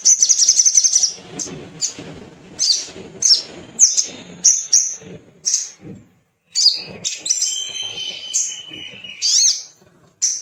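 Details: Little spiderhunter singing to stimulate other birds: a fast, shrill trill opens, followed by spaced, sharp, high chips and a long, thin whistled note near the end.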